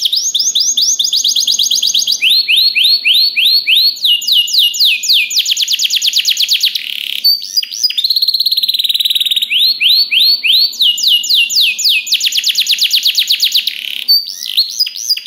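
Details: Canary song intended to make other canaries answer: a long varied performance of high rapid trills, repeated upswept whistles and buzzy rolls, switching between phrases every second or two without pause.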